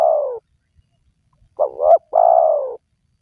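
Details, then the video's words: Spotted dove call played to entice wild doves to call. The tail of a long coo, a pause, then a complete phrase: two short, throaty notes leading into a sustained coo that fades downward. "Pemancing Burung Tekukur Yang Malas Bunyi,Langsung Rajin Bunyi"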